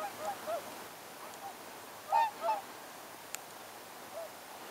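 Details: Honking calls from tundra swans in a November 2014 mixed flock of about 80 with around 40 whooper swans in Oltenia, Romania. Soft honks are followed by two loud nasal notes close together, with a brief click and steady background hiss.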